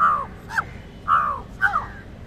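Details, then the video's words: Indian jungle crow (Corvus culminatus) giving a distinct call said to frighten other birds: four harsh, hoarse caws, each dropping slightly in pitch, about one every half second, against a quiet background. "Jungle crows Distinct call to frightened other birds jungle crow (Corvus culminatus) CALL"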